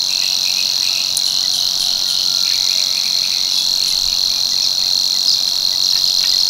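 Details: Continuous high droning reel of a Savi's warbler, a male singing after arrival at Tancat de l'Illa, l'Albufera; the buzz stays even and unchanging, with occasional faint clicks and chips from other birds.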